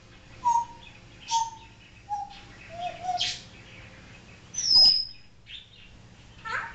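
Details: Talking pet African grey parrot that also imitates barking gives a series of short, pure whistled notes stepping gradually lower. A sudden sharp high whistle follows, then a few faint chirps.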